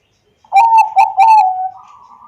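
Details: Zebra dove, Bangkok type, in Wiradesa, Central Java, recorded on an Android phone to encourage reluctant doves to sing: three rapid bright coos running into a drawn-out, slightly rising note.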